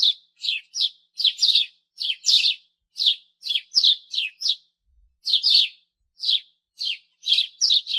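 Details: Vibrant, constant sparrow chirps, sharp and harsh-edged, delivered in rapid runs of two or three notes with brief gaps, clean and close.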